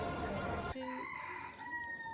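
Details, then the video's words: Rooster in Kinshasa, Democratic Republic of the Congo, which crows every morning from 6 a.m.: after a short burst of noise, a faint, distant, drawn-out crow with a steady tone is heard. "Vous entendez le coq? Le coq, il chante à partir de 6 h."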